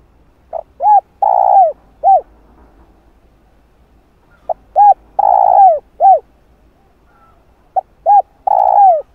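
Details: Spotted dove lure recording to draw wild doves: three cooing phrases, each a short note, two mellow hooked coos, a longer drawn-out purring coo and a final falling coo, repeated about every three and a half seconds in a quiet background.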